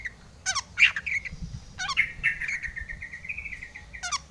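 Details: Long-tailed shrike in full varied song, played as a lure to provoke other shrikes to sing: harsh broadband bursts alternate with sharp mid-pitched whistled notes, then a long drawn whistle that rises slightly, and a final harsh burst.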